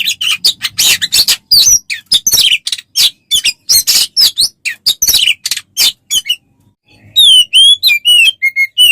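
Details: Tutor recording of Oriental magpie-robin song used to train songbirds. A fast jumble of harsh, scratchy bursts and sliding notes gives way after a short silence to clear, repeated whistled phrases that rise and fall.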